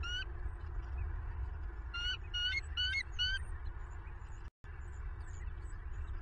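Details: Bald eagle recorded by a southwest Florida nest camera near 11 pm on 25 November 2022, giving one squeaky note, then a quick run of four or five high chirping notes, against constant low rumbling background noise and one brief dropout.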